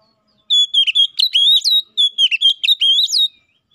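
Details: Oriental magpie-robin calling a rival with strong, steady song, used to make other magpie-robins sing: two rapid phrases of bright whistles, each note bending sharply down then up, in a nearly silent background.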